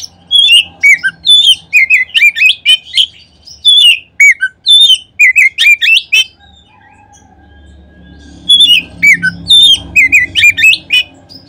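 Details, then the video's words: Oriental magpie-robin singing loud, varied whistled phrases with sharp rising and falling notes in quick bursts, a two-second pause, then more phrases; used as a lure to stimulate other magpie-robins to sing. "Kacer manapun seketika terangsang berbunyi dengan pancingan ini."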